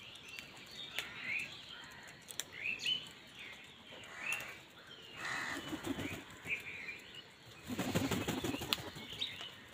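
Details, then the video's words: Crows calling while fighting for food: a series of harsh, hoarse caws at irregular intervals. Thinner chirps from small birds and sharp clicking knocks sound in the background. "কাকের ডাক Crow Sound Crow ki Awaz Loudly part | Crow bird Fight for Food"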